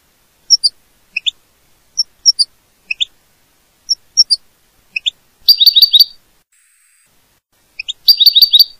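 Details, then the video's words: A goldfinch gives scattered high, clipped notes in pairs and threes, then two short bursts of rapid, tinkling twittering, with quiet gaps between phrases. "Canto del Jilguero"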